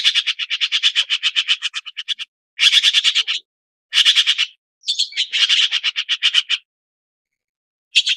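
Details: Red-billed blue magpie calling in rapid harsh chattering bursts, each a run of about ten to fifteen rasping notes, separated by short pauses, with one squealing note at the start of a later burst.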